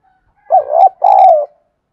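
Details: Cooing spotted dove luring other doves; a single loud phrase of two hoarse coos, the first rising and wavering, the second longer and gently falling, on a quiet background.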